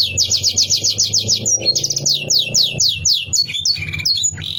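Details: Canary song used to provoke rivals, a fast trill of repeated sweeping notes lasting several seconds, then assorted chirps and a short buzz, over low humming background.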